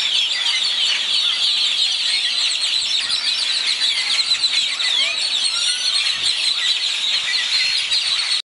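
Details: Morning bird chorus at first light in Zapotitlan de Mendez, Puebla, Mexico: continuous high-pitched twittering, trills and short rising whistles from many birds at once, plus a faint low hum.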